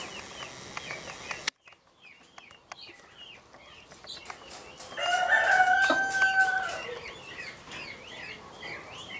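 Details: A peafowl in Krasnodar Krai, Russia, on 3 June 2020, gives a loud, drawn-out nasal wail over constant chirping from smaller birds.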